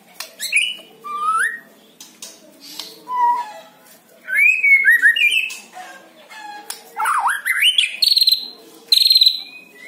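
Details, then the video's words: White-rumped shama song, captive bird, used to coax another captive shama into singing: rich, varied phrases of clear whistles, rising and falling slurs and short harsh buzzy notes, delivered in bursts separated by brief pauses. "PANCING MURAI BATU ANDA DENGAN SUARA INI"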